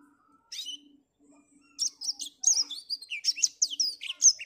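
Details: Black-throated canary singing energetically on an overcast morning: a fast, varied run of high chirps and sweet slurred notes that builds after a brief opening phrase, over a faint low hum.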